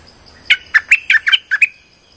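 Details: Lure call of a streak-eared bulbul used in trapping: a lively run of seven clear chirped notes, slurred up and down, spaced about a fifth of a second apart, in quiet surroundings.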